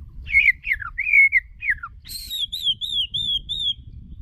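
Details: Decoy white-rumped shama singing for voice training: sweet fluting whistles sliding downward, a held wavering note, then a series of high bright whistled notes repeated at steady intervals.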